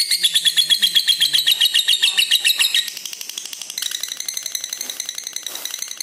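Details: Long ngekek trill from a red-eyed lutino lovebird, kept as a training master for other lovebirds: loud, shrill, rapid pulsing for about three seconds, then the same fast pulses continue more faintly to the end.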